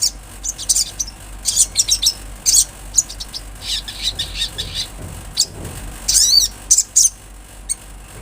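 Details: Olive-backed sunbird heard in the wild: scattered short, high chip notes at irregular intervals, with a cluster of quick, rising, slurred notes near the end.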